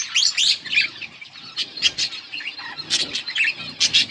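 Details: A yellow budgie pair keeps up lively chirping, sharp clicky notes and warbled twitters in quick irregular bursts.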